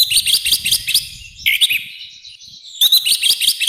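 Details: Rough, loud orange-headed thrush song used to train and provoke birds: steady rapid clipped notes, a slurred harsh phrase, a quieter stretch, then a renewed fast burst of high notes.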